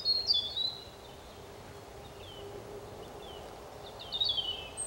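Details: European robin singing thin, high, warbled phrases, one at the start and another near the end, separated by scattered faint notes. A steady low hum of environmental noise runs underneath.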